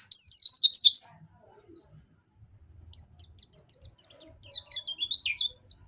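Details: Dakun white-eye from Pacitan singing nembak with mantenan and zipper witwit: a loud jumble of high zigzag notes, a lull of soft chips over low rumbling, then another twisting phrase.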